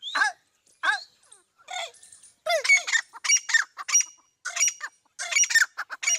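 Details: Teetar, a partridge, gives short harsh squawks that start sparse and spaced, then run into denser rasping bursts with rising-falling harmonic notes, repeated about once a second.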